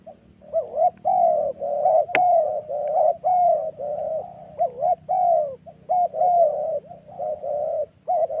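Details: Spotted doves calling at a ground-decoy trapping spot in the Central Highlands forest of Gia Lai, Vietnam. Overlapping hoarse coos with wavering, looping pitch run in long chains, interrupted once by a sharp click, over a soft low background drone.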